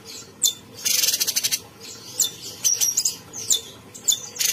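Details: Captive cucak cungkok bulbul in continuous song, one harsh buzzy burst followed by a run of clear, sharp, high whistled notes.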